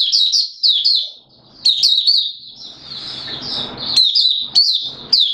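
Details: Singapore recording from 29 March 2023, warm and humid with sudden showers: a Malaysian Oriental white-eye in 'buka sing' open song, tumbling high-pitched twitters broken by a short pause with soft shuffling, then sharp sweet notes resume.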